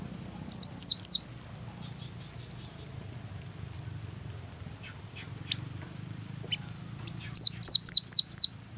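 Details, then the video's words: Lure song of a young great tit for kept birds: three falling whistles, a long gap, a single upswept note, then a brisk rolling series of six descending whistles. "GELATIK BATU MUDA GACOR | Glatik Ngerol Untuk Pancingan Gelatik Batu"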